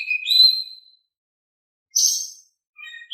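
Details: Oriental magpie-robin in calm, active song, meant to provoke silent magpie-robins into singing back. A bright, sustained whistle swelling and fading, a pause, then a harsher buzzy burst, and finally soft thin notes.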